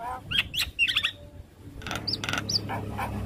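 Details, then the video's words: Short whistled upslurs and scratchy chirps from a young black-winged starling, a tutor-style song with varied fill phrases. A quiet gap falls mid-phrase, then thin high whistles and harsh notes return over low rumble. "Masteran Jalak Kebo Full Isian Pas Buata Jalak Kebo Muda"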